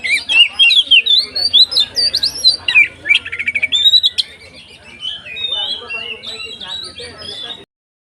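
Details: Kacer, the Oriental magpie-robin, 'konslet' style, in full nonstop 'ngeplong' song used to provoke other kacer into singing; loud run of varied whistled notes, slurred trills and sharp chirps, softening midway, over a low hum, ending abruptly.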